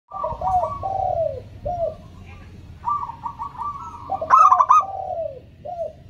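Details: Local zebra dove song played to prompt reluctant doves to sing: soft trilled coos near one kilohertz alternating with lower falling coo notes, then a brief loud bright burst; steady low hum beneath.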